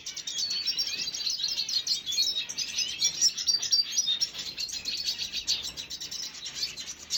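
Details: Continuous shrill twittering from a red siskin on 5 June 2022, chirps and brief trills packed closely together for over seven seconds with small swells in volume.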